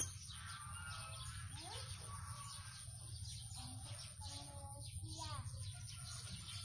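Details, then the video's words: Blue-crowned hanging parrot in busy song, giving dense, high, scratchy chirps in quick succession, with a few lower whistled notes mixed in, all over a continuous low droning background hum. "Serindit gacor cor"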